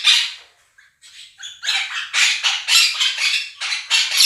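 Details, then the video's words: Quaker parrots, a pair kept as pets, screaming over budgerigar chirping and song played to them: one loud harsh shriek, a pause, then a fast train of rasping squawks. "Quaker parrots scream over flock of budgies"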